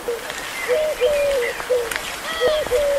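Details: A Eurasian collared dove sings at Locmaria, giving low, hollow, slightly hoarse coos in short repeated three-syllable phrases, with faint ticking background noise.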